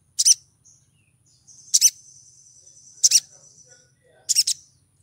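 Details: A female little spiderhunter in heat calls to lure a male, giving loud high clipped double chips about once a second, with a faint thin sustained whine running between them.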